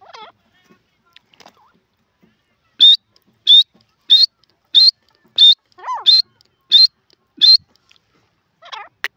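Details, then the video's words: A francolin (teetar) gives eight loud, sharp, high ringing notes, about one every two-thirds of a second, with a brief lower sliding sound and faint clicks nearby. "teetar ki awaz"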